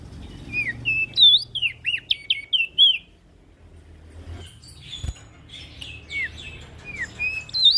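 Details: Ashy prinia calling loudly, played as a lure for small birds: sharp chirps and curved whistled notes in a quick burst, a brief pause, then scattered rising and falling whistles, with a low hum underneath.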